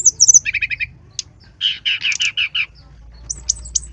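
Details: Persistent song of a brown-chested jungle flycatcher, used to lure birds into singing: a fast rattling trill, a lone sharp note, then a run of six rich slurred warbles and a few high thin whistles.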